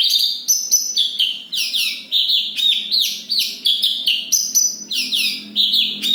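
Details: Bush lark from Kediri in full, tightly rolled song, pouring out quick slurred whistles that drop in pitch, interspersed with short high chips, delivered in an unbroken stream with a faint low hum beneath.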